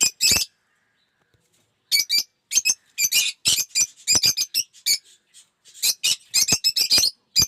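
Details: Lovebirds (Agapornis) of several colour mutations in an aviary give harsh, high, shrill squawks and chirps in quick bursts, with several birds calling over one another in rapid succession.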